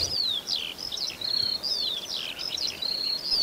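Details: A Eurasian skylark sings in the fields near Berga/Elster, pouring out a fast, unbroken stream of high chirps, trills and slurred whistles over a soft background hiss.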